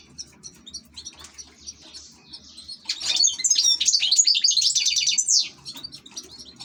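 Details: Ornamental European goldfinch starting with soft scattered chirps, then breaking into a loud two-and-a-half-second burst of bright tinkling trills and buzzy twitters.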